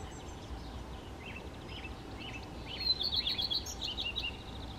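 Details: Song of a common redstart, a brief phrase of quick, high twittering notes after a few faint downslurred notes, over constant low rumble.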